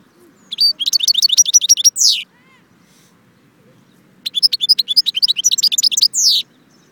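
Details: Two matching goldfinch phrases, Jbel Wahch, Constantine, each a fast chattering trill of high notes closed by a longer, buzzy falling note, separated by about two seconds of near silence.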